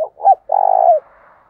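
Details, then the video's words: Spotted dove calling to draw in wild doves: a brief low note, a rising bent coo, then a long, rich, vibrating coo ending in a downward slur, followed by a soft fading tail. "tiếng cu gáy gọi mồi"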